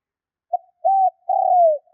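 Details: Spotted dove lure call for drawing out wild doves: a quick soft note, a steady rounded coo, then a long coo that slides gently downward, low-pitched and clean with no other sounds.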